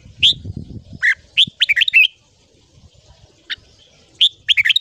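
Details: Morning song of a red-whiskered bulbul in the 'ché' style, for voice training: bright whistled notes and quick twittering runs in bursts, a pause, then another lively run, with faint low thumps.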